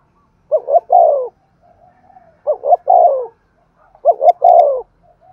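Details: Spotted dove decoy bird cooing in the lively Thúc Gù style, said to draw wild doves quickly: three phrases, each two short rising notes then a longer, lower, falling coo, about two seconds apart, with a faint click near the end.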